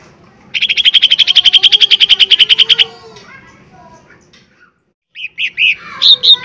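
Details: Lesser green leafbird lure recording of strong 'tembakan' song to provoke a reply: a loud, steady buzzing trill of rapid pulses lasting over two seconds, a pause, then several sharp, rising whistled notes.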